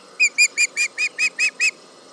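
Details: Osprey at the Charlo nest calling at a tractor near the nest, July 31, 2019, 11am MDT: eight evenly spaced, clear whistled chirps, about five per second, then quiet.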